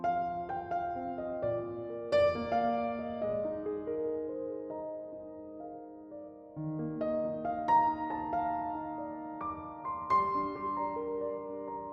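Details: Soft, sustained piano or keyboard music plays throughout, with no animal calls audible.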